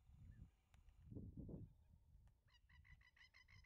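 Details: Banded Stilt (Cladorhynchus leucocephalus) at the Western Treatment Plant, Wyndham, Victoria, in April 2024, giving a quick run of short, nasal yelping notes, about eight per second, near the end, over a steady low rumble of wind.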